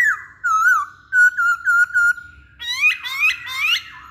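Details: Masked laughingthrush song played as a lure to make males respond. Even whistled notes repeated about every third of a second, followed by rising, overlapping sweeping calls.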